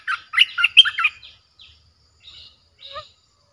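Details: Fierce-toned streak-eared bulbul song played to lure wild birds: one quick burst of bubbling, chattering notes lasting about a second, followed by a few faint, softer chirps.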